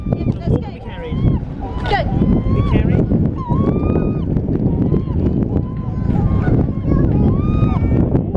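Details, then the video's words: Two male herring gulls, or possibly Western Gull hybrids, trade nasal mewing calls at the Chittenden Locks, Seattle, each a short rising-then-falling wail repeated every second or so, over heavy rumble of wind and water. "Two Seagulls Have A Chat"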